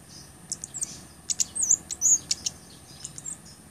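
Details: Blood-breasted flowerpecker song for training and luring birds: a dense, rapid burst of thin, piercing chips and tiny slurred twitters, about two or three notes a second, over a soft hiss.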